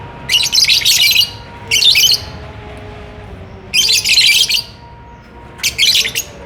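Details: Caged lovebird courting and wanting to mate, delivering loud rasping chattering bursts, each about a second long, separated by short pauses, high-pitched and harsh, with quiet hum between.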